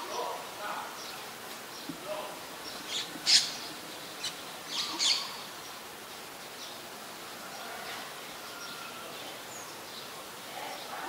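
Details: Malaysian pied fantail, a common resident in Ubon Ratchathani, Thailand, on 18 March 2021: sharp, high chirps bunched near the three- and five-second marks, then a quieter stretch with faint distant birdsong and steady insect hiss.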